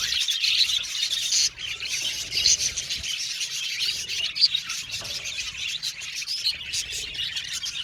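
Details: Budgerigars in an aviary colony chirp and warble softly together, with a few sharper, clearer notes standing out above the steady high twittering.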